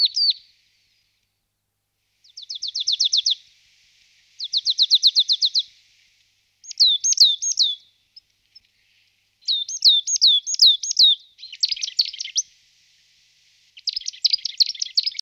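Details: Marsh tit singing varied bursts: fast dry rattling trills, then series of four or five ringing downslurred notes, and finally scratchy chattering phrases, each burst separated by brief silences.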